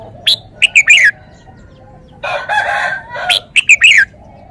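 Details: Red-whiskered bulbul singing brisk phrases of three or four clear whistled notes sliding down, one at each end, with a rough, noisy burst lasting over a second in between.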